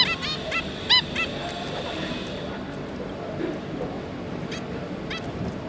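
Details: Zebra finch pair and three juveniles, 5 August 2022: a quick cluster of nasal, harmonic calls at the start, then only faint sporadic calls over a continuous low hum.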